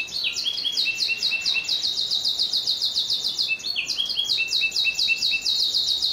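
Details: Canary giving its sharp, long-rolling song, recorded for training other birds: rapid repeated high chirps in steady series, switching now and then to a lower pitched run of clipped notes, unbroken for six seconds.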